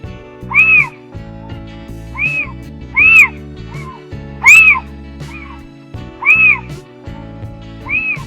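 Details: Little owl (Athene noctua) giving loud, mewing, rising-then-falling 'kiew' notes, roughly one every one to one and a half seconds, over a soft musical backing.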